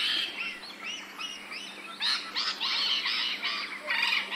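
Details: Rainbow lorikeet from Australia, ambisonic surround recording: continuous dense chatter of rasping, screechy notes, growing louder and busier in the second half, suggesting several birds calling at once, with faint hiss behind.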